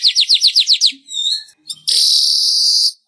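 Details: Weaver song for training kept birds to sing. Fast rhythmic chirps, seven or eight in under a second, then softer whistled and stuttered notes, then a full second of harsh sustained buzz.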